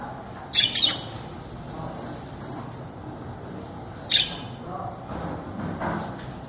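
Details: Caged budgerigar, a small parrot, uttering two brief, scratchy squawks several seconds apart, with soft faint noises in between.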